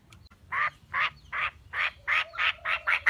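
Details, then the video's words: Female Chinese francolin, lure call for trapping: evenly spaced harsh nasal notes, about two to three per second, growing slightly quicker toward the end. "Tiếng chim đa đa mái 2023 |dành cho anh em đi bẫy|"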